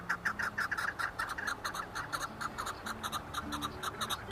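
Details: Chukar partridge producing loud, clustered clucking notes, some doubled, in an uneven chattering sequence over a faint low hum.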